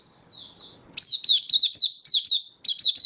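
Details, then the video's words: Oriental white-eye hobby bird singing openly, 24 February 2023: a few soft, thin whistled notes, then a loud string of about nine sharp, high chirps in tight groups. "Mata Puteh Happy Buka Sing"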